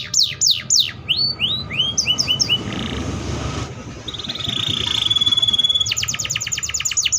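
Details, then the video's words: Atlantic canary song, described as sounding like in the wild: rapid descending whistled notes in quick series, then rising slurred phrases, a buzzy trill, and a fast run of repeated sweeping notes at the end, with low background noise. "THE VOICE OF THE CANARIA SERINUS BIRD - A MOST MOODY SOUND LIKE IN THE WILD"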